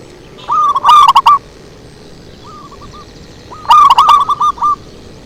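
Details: Lure recording of zebra dove song: two rapid staccato cooing phrases, each a bright rolling series of short mellow notes, separated by a quiet pause holding a faint distant coo from another dove.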